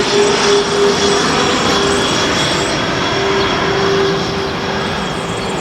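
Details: A train rumbles and clatters with steady squealing tones from the wheels; no animal voice is heard.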